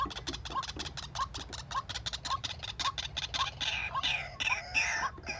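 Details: White-breasted waterhen used as a decoy in a cage trap to lure wild birds: a steady run of short mid-pitched notes, roughly three per second, with sharp clicking noises throughout and brighter, higher sounds toward the end.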